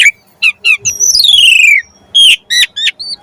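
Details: Lure song of a jalak suren, the Asian pied starling, full of 'isian': scattered sharp chips, then one long, smoothly descending whistle lasting nearly a second, followed by loud rough squawks and clipped chirps.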